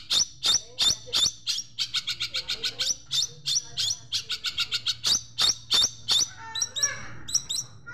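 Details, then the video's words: Long-tailed Shrike master song with sparrow-like fill-ins. Rapid sharp tweets come in rattling runs, nearly three per second, ending with softer twittering notes. "Masteran Cendet Isian Greja Mewah"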